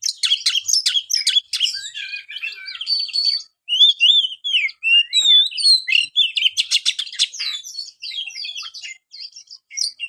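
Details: Oriental magpie-robin singing, played to encourage a quiet captive bird: busy chatter opening, then clear slurred whistles rising and dipping, followed by rattling trills and high twittering phrases.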